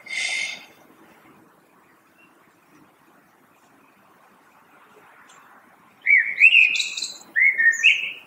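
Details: A short burst opens, then a long near-silent pause. Two fluty, warbling common blackbird song phrases follow about a second apart, each ending in a higher squeaky flourish.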